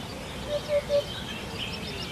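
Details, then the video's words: A hoopoe gives three soft, hollow, low 'oop-oop-oop' notes about a quarter second apart, over steady background hiss. "BURUNG HUT HUT"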